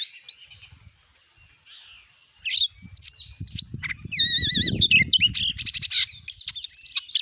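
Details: Oriental magpie-robin lure song in 'gacor nembak' style, meant to provoke rival magpie-robins: quiet whistles, then loud wavering warbles, buzzy trills and rapid staccato bursts of notes.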